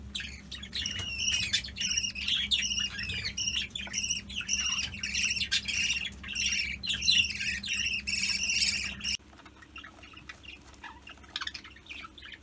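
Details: Budgerigars breeding at home without a nest box, with four weaned chicks, chatter in a dense stream of scratchy squawks and chirps for about nine seconds, then a few faint calls after a sudden cut.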